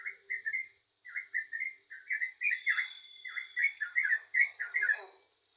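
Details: Yellow-vented bulbul singing clear, bubbling whistled phrases that grow denser and more rapid toward the end, each group of notes rising and falling quickly.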